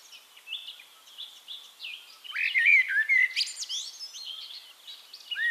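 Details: Eurasian Blackbird song from Castricum, the Netherlands, with soft high twittering building to a loud, fluty whistled phrase with rising and falling slurs, then a scratchy high squeak and further quiet warbling.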